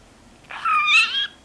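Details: Three-year-old male pet budgerigar in Mie Prefecture, Japan, a 30-gram bird that mimics its owners' Kansai-dialect speech, gives one clear, raspy, voice-like phrase under a second long with bright harmonics that rise then level off. A woman speaks nearby.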